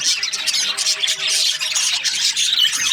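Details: Budgerigars in breeding season, chirping happily: a dense, unbroken chatter of many high, scratchy chirps and squeaky warbles overlapping without pause, with a faint steady hum beneath.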